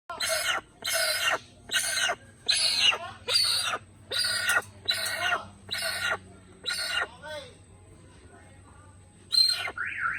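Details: Little hornbill giving a series of loud, harsh, raspy calls, about nine bursts repeated under a second apart, followed by a pause and one more call, over a steady low hum.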